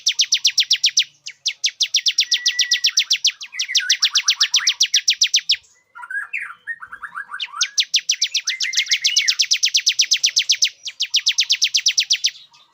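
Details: Bar-winged prinia male singing to lure a female into breeding condition, with long, nearly continuous trains of rapid high chips at about four per second, interrupted midway by lower twittering warbles.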